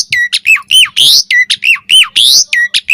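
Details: Asian pied starling song used as a lure for other starlings: harsh rising squawks alternating with loud downward-bending whistles, repeated rapidly over a few seconds.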